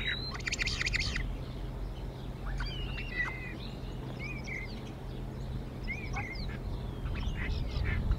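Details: Female bald eagle at the Decorah nest squaring off with the male, beak to beak, showing dominance in the early morning; an opening second of dense, rapid chittering, followed by scattered high chirps over constant low hum.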